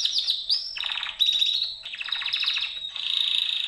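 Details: Domestic canary, kept as a pet, from a comparison of Gloster and Yorkshire canaries as singers: high, rolling trills and buzzy rattles changing phrase roughly every half second, ending on a sustained whistled trill.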